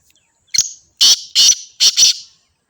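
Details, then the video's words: Black francolin in Sindh, Pakistan, recorded on the 29th of the third month. A short opening note leads into four loud, rasping, buzzy notes in quick pairs over about one and a half seconds, close and very loud. "Kala Teeter"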